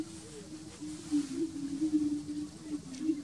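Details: Greater prairie-chicken at a lek on a ranch: low, steady hollow moaning tone, long and sustained with slight wavering, over faint wind noise.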